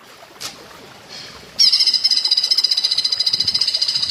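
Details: Platuk bawang-style song from a greater green leafbird (cucak ijo) used as master material: after a few faint chirps, a loud rapid train of high clipped notes begins abruptly and continues evenly, roughly four per second.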